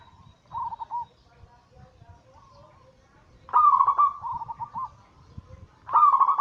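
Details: Zebra dove, a local Bangkok bird crossed with cemani katuranggan silver, giving its anggungan cooing song as a daily lure to stir other doves to sing: short mellow cooing phrases near one pitch, repeated every few seconds with quiet gaps.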